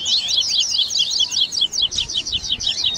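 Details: Captive double-collared seedeaters in a baderna training mix of tui tui song with grego, viviti, flauteado and third-note variants: a fast, dense burst of high slurred notes and sharp chirps, nearly continuous, about two or three notes per second.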